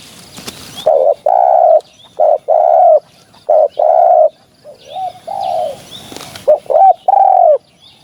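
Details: Spotted dove, recorded for use as a hunting lure, delivering a busy run of deep, rounded coos, short notes alternating with longer held ones, a few slurred downward, plus a brief crackle near the start.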